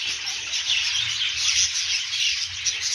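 Budgerigars chatter together in a steady, dense stream of high chirps and warbles that overlap without pause, with a faint low hum underneath.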